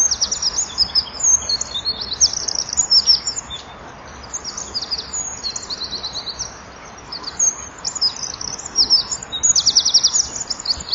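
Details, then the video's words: Eurasian wren in full song at winter dusk beside a nest-box camera, fluttering its wings as it sings: long bursts of very high, fast trills and rattles, a short lull midway, then another vigorous rattling phrase. "WK zingt voor"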